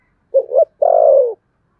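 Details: Contest cooing of a spotted dove in the thunderous Sấm Thổ style, a double-pulsed low coo followed by one drawn-out, slightly falling coo.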